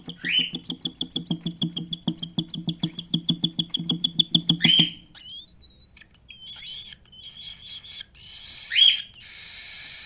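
A cockatiel chirps in a fast run of short, harmonic notes, then gives sharp upward-sweeping calls.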